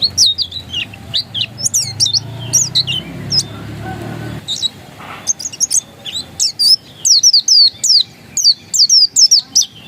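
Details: Oriental white-eye of the dakun type, described as still original, singing quick high chirps and sharp downslurred whistles in rapid irregular bursts, with a soft low rumble in the first few seconds.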